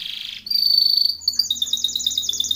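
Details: Timbrado canary singing a training song, opening with a short buzzy trill, then a long steady high whistle, breaking into a rolling, bubbling trill of rapid repeated notes.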